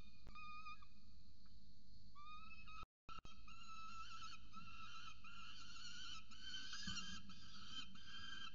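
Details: Peregrine falcon chick with its mother at the nest in Orange, Australia: thin, drawn-out wavering whines with stacked overtones, briefly cut off, then resuming louder and more continuous over a steady low hum.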